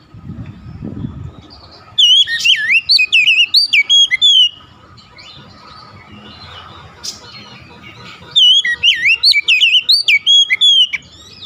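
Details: After a low thud at the start, an emotional Oriental magpie-robin answering a rival kacer unloads two long runs of loud, varied whistles, slurs and chips, separated by a soft murmuring interval.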